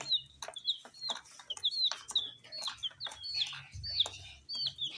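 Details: Tiny colored chicks eating spicy snacks give high, thin peeping chirps, each a short rising-then-falling whistle, repeated rapidly several times a second, with soft pecking clicks and taps underneath.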